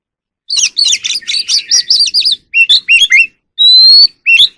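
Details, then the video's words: Oriental magpie-robin in evening song while dancing, wild bird: a rapid rippling run of twittering notes, then separate swooping whistles and one long, loud, pure rising whistle before a final sharp note. "kacer alam | Choè than hót múa buổi chiều tối เสียงนกกางเขนบ้าน"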